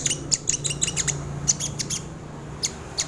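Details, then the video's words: High, thin chirping from a sogon bird, kept for luring and training birds, in rapid clusters of bright ticks, then a short pause and two isolated notes, with a faint low hum behind. "SUARA BURUNG SOGON UNTUK PANCINGAN ATAU MASTERAN // SUARA PIKAT BURUNG SOGON // BURUNG SOGON GACOR"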